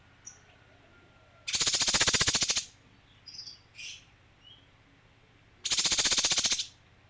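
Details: Song of a male kinoi: two loud rattling bursts of fast buzzy pulses, each about a second long and four seconds apart, separated by soft, brief, high chirps.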